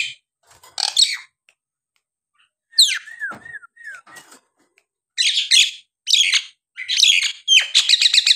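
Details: A Nias hill myna's singing, meant to spur idle mynas into song, opens with scattered harsh notes, then a run of short slurred whistles, and ends in loud, buzzy chattering bursts.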